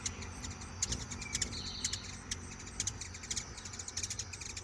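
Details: Hand-fed hummingbirds calling to each other, trading sharp, very high ticks and chips in quick, irregular bursts, with one brief buzzy squeal; a low background hum runs underneath.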